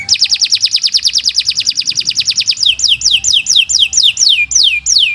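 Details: Canary in long, continuous song used as a master recording for training other birds: rapid runs of high downward-sweeping whistled notes, first tight and fast, then slower, wider sweeps repeated about twice a second.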